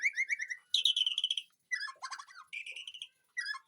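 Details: White-rumped shama kept in a home garden aviary, singing varied phrases: a quick run of whistled notes, dense rattling trills, and buzzy, chattering segments separated by short pauses.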